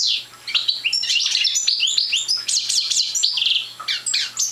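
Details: Immature Parva goldfinch, still short of full song, pours out a fast run of bright tinkling notes, buzzy slurs and high twitters nearly without break, one brief lull near the end.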